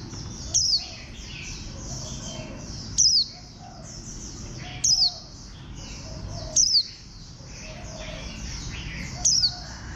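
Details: Bantam-postured warbling white-eye repeats a short, shrill, descending chirp five times in ten seconds at uneven spacing. Soft high chatter and low murmuring sounds lie beneath.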